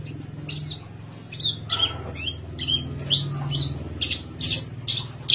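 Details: Caged Oriental skylark in Java, perched calmly while singing: short, bright chirped and slurred notes, some rising and some falling, given in quick irregular bursts over a steady low hum.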